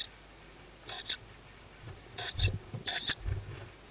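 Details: Tawny owl youngster calling at feeding time, 21 May 2017 at 21:38; loud, rasping, hissed shrieks, some doubled, at irregular intervals, mixed with low rustling thumps.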